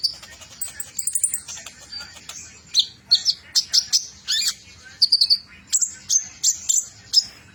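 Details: Trotol-style song of a metallic-mutation Van Hasselt's sunbird: a dense, rapid run of very high, sharp chirps and thin whistled slurs, delivered in quick clusters almost without pause.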